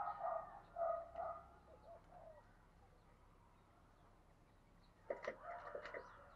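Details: Spotted dove decoy bird, described as handsome and a fine singer and used to lure wild doves, gives soft repeated coos for about two seconds, then quiet, then a brief burst of louder mixed sound.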